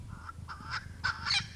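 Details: Male Swainson's spurfowl on a live camera at Naledi Cat-EYE, 10 November 2020, showing off his call: harsh, grating, broadband bursts, three or four rasping notes growing louder, over a low rumble.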